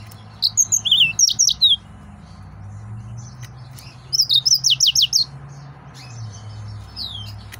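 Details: Agitated male yellow-fronted canary delivering two bursts of rapid, clear whistled notes, each phrase a quick run of repeated downward-sliding syllables, separated by a few seconds of quiet with faint low background hum.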